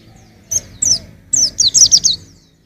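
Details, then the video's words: Young white-eye singing: a few high, thin chirps, then a quick run of bright, sharp, descending notes, each dropping sharply in pitch, in a short burst. "suara burung pleci masih muda"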